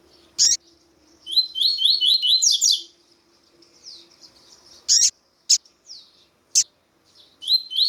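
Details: A female Double-collared Seedeater (Sporophila caerulescens), calling to stir up males, gives a quick run of sharp, high chirps, then scattered single chips and a faint low steady hum.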